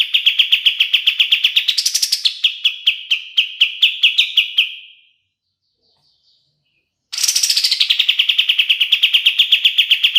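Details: Kapas tembak or black-capped bulbul song, meant as a master for training songbirds: quick repeated notes in a long trill with a sudden high upswept note midway, a silent gap of two seconds, then a new high-starting rapid trill.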